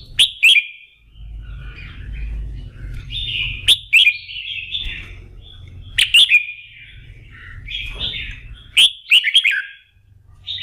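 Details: Fired up for contest singing, a red-whiskered bulbul practises its morning song, repeating a pattern of sharp, ringing whistled notes every two to three seconds, each followed by scratchy warbles, against a low background hum.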